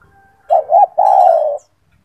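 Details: A single phrase from a loud, caged gacor turtle dove, sung as a master for training other doves: two short rounded coos, then one long steady coo, all low and clear.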